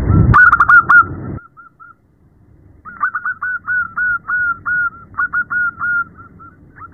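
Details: Female zebra dove calling for a male at night: an opening flurry of fast, clicky cooing notes, a pause, then long rhythmic runs of short fluty coos in uneven groups, with soft background hum.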